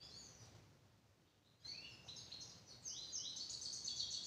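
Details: Grey-crowned goldfinch song, recorded in 2023: after a quiet start, a fast, bright twittering of high chirps and short trills begins, growing louder and denser toward the end over faint background noise.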